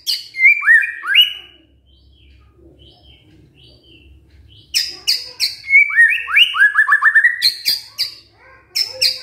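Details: White-rumped shama singing, used to stir a reluctant male into song: rising whistled phrases, a quiet gap, then a dense stream of harsh chattering notes mixed with quick rising whistles.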